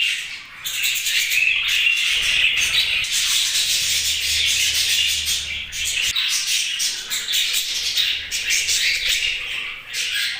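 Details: Continuous budgie chatter, a dense stream of harsh, buzzy, high-pitched chirps and rasps with brief pauses near two and six seconds.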